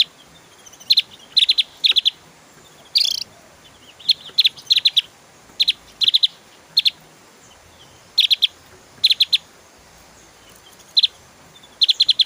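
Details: Opior Jawa, the Javan grey-throated white-eye, singing vigorously in the fast 'tembakan' style meant for tutoring cage birds: clusters of rapid, high-pitched ticking chirps repeated roughly every second, with one brief harsher buzz.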